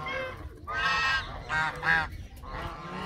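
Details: Canada geese giving loud, drawn-out nasal honks, three or four strong calls with a rich harmonic stack, separated by brief pauses.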